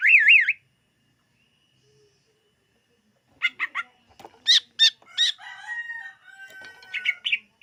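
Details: Greater green leafbird song used for luring birds: a loud wavering trilled whistle, a pause, then a burst of varied sharp chips, rattles and short whistled phrases.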